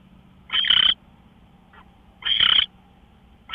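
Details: Owl at 5:27 in the morning, March 24, 2013, uttering two hoarse, hissing screeches nearly two seconds apart with a faint short rasp between them and the start of another at the end.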